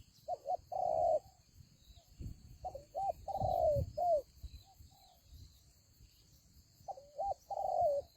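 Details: Spotted dove used as a decoy in a fighting trap in Vietnam, giving three cooing phrases, each a short hooked double note then a longer falling coo, separated by pauses; steady high hum in the background.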